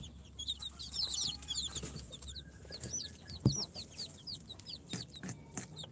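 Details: Four-day-old incubator-hatched chicks, Sultan, Golden Sebright, Cochin and booted breeds, giving many thin, high, downslurred peeps that overlap from several birds, with a constant low hum and an occasional knock.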